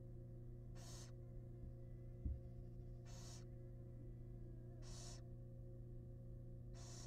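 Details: Barn owls, wild, in a research-monitored nest box while the father delivers a big rat: four harsh, airy snoring hisses repeated about every two seconds, one soft thump, and a steady background hum throughout.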